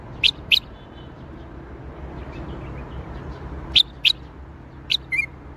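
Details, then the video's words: Bulbul song in Baghdadi style, sparse sharp chirps in pairs, a double note at the start, another pair near four seconds, then a brief slurred phrase at the end, with quiet hum beneath. "تغريد بلبل طور بغدادي"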